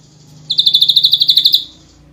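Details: Rapid 'nembak rapat' burst from an ashy drongo: roughly fifteen crisp, high, evenly spaced notes fired in just over a second, against a faint low hum.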